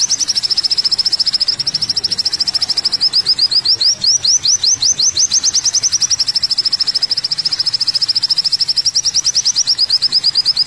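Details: Continuous high trilling from an olive-backed sunbird (kolibri wulung), a masteran track: fast, thin ticking notes that swell into clearer rising chirps and then return to a dense shimmer.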